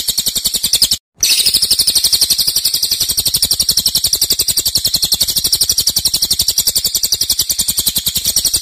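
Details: Cililin 'nembak' song, loud and long: a quick break in the first second, then a steady, shrill machine-gun trill of high pulses running on.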